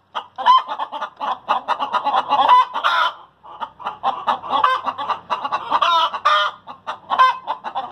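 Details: Post-laying cackling from hens: dense, repeated clucks with periodic drawn-out squawks, one short pause, then the clucking resumes with overlapping calls.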